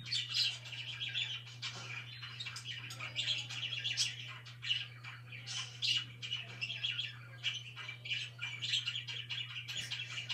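Budgerigars chirp and chatter in quick, bright bursts, with a steady low hum underneath.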